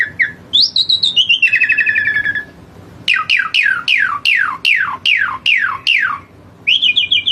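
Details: Energetic song of an Asian pied starling: a high wavering whistle and rattling chatter, a brief pause, then a rapid run of about ten sharp descending whistles followed by another quavering phrase.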